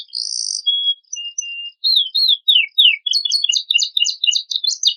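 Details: Canary master song, rich in fill, used as a lure for untrained birds: a buzzy high note, thin level whistles, four loud downward sweeps, then an accelerating trill of short chirps about four per second.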